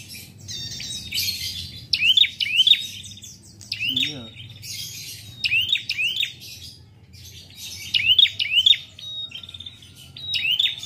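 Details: Caged prinia from a bird collection, singing in a lively two-beat style: bright upswept whistles, mostly paired, repeated every second or two, with faint low hum behind.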